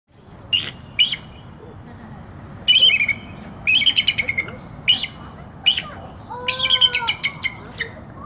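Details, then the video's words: A bald eagle gives high, thin, chittering notes in quick stuttering bursts, with a lower whistled note near the end and faint background hiss. "bald eagle screech"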